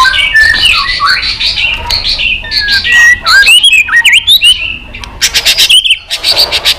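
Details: White-rumped shama singing competitively in varied voices. A dense, busy stretch of twisting whistles and slurred notes runs into rapid buzzy bursts near the end.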